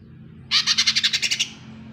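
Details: Lesser green leafbird recording used as a lure for a silent bird. A fast rattle of about eleven scratchy, buzzy high notes lasts just under a second, over a faint low hum.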